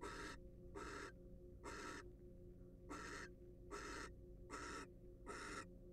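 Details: Nest-box barn owl, wild, giving rasping hisses: seven broad, airy bursts in about six seconds, evenly paced with clear pauses between them.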